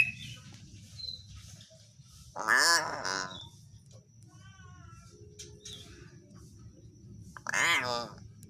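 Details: Common hill myna, natural voice used to lure other mynas into singing: two loud, raspy, harmonic calls about five seconds apart, each roughly half a second long, over a low hum, with softer chatter between.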